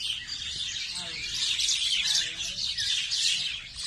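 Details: Natural bird chorus from Nondibari, Bangladesh, with many high twittering and chirping notes packed together throughout, a steady busy chatter and a faint low hum underneath.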